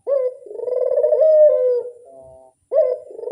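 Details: Barbary dove coo used as a lure: a deep vibrating purr that builds and holds, then fades into a faint lingering note before another coo begins.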